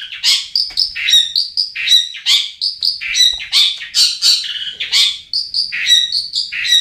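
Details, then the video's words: Long-tailed shrike song used as a lure to prompt reluctant caged birds to sing: dense, scratchy, high-pitched phrases with sharp chirps and short whistled notes, delivered continuously with almost no pauses. "SUARA PANCINGAN BURUNG CENDET"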